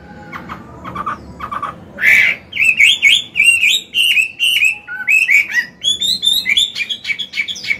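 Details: Chinese hwamei, an old wild-caught bird singing to stimulate caged males: a few soft, spaced notes, then an explosive burst leading into rapid, varied whistled phrases that climb in pitch.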